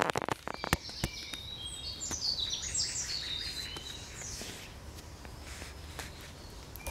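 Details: Evening song of a nightingale, 9 June 2020: clusters of high, rapid whistled and chirping notes in the middle, opened by a series of sharp clicks, with constant low rural background hiss.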